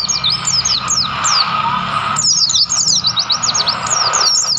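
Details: Wild mountain white-eye on Mount Lawu near Tawangmangu. At first a few spaced, high, descending whistles, then a rush of quick chattering notes from about two seconds onward.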